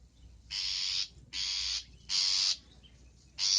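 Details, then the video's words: Long-tailed shrike song with fillers: four loud, rasping, buzzy notes of about half a second each, spaced by brief pauses. "MASTERAN BURUNG CENDET FULL ISIAN GACOR"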